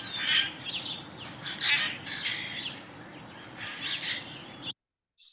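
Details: A male Common Grackle sings to attract a mate: harsh, hissing squeaks in short bursts about a second apart, with one thin, piercing squeal near the end; an early spring migrant in Kentucky.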